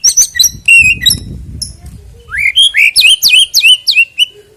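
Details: White-rumped shama song used to encourage singing before a contest: chattering notes over a soft rustle, then a rising whistle and a quick series of sharp, downward-slurred whistled notes.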